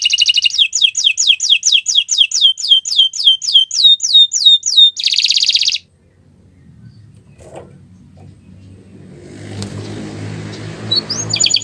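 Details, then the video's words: Gacoran song of a canary on a Friday morning: a long series of bright, falling whistled sweeps that slow slightly, ending in a buzzy burst. Then quiet, with a low rumble of room or background noise and one final short whistle. "Gacoran Burung Kenari di Jumat pagi"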